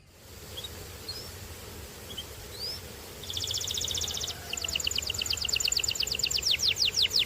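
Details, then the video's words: Canary heard after a few faint scattered chirps over background hiss: a short buzzing trill, then a louder rolling trill of repeated notes that slows toward the end. "Get Ready To Be Amazed By The Incredible Sound Of This Special Canary"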